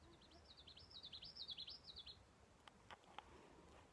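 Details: Yellow warbler (Setophaga petechia) singing by a stream among alders: a quick, bright two-second run of high, sweet slurred "sweet sweet sweet" notes, followed by a few faint knocks and steady background hiss.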